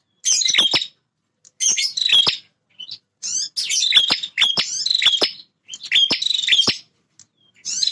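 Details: Male bar-winged prinia defending its territory, singing energetically: loud buzzy, rattling phrases with cracking clicks, bursts of under a second repeated in quick succession with short gaps.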